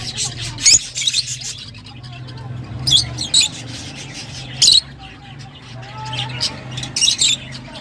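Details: Short, sharp lovebird squeaks break out in isolated bursts a second or two apart, over a steady low hum.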